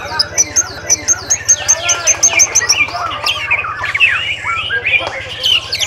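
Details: White-rumped shama at a bird singing-contest training event on 7 December 2017, winning Best of Best. A quick run of high, clear whistled notes about five per second, then varied sliding whistles and chatters, with other birds and a low electrical hum.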